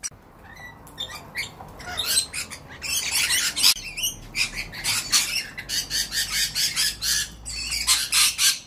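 Lorikeets squabble with harsh, grating screeches in rapid bursts, roughly three to four a second, with short shrill squawks in between.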